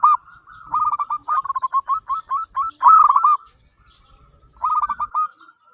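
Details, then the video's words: Zebra dove of a local Indonesian strain with a big voice, singing to prompt other doves; a long string of fast, evenly spaced coos building to louder notes, then a pause and a shorter phrase. "perkutut lokal gacor suara besar"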